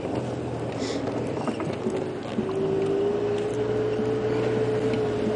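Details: An engine drones steadily during a live safari drive, with a sustained whine starting midway and a low rumble, but no animal calls stand out.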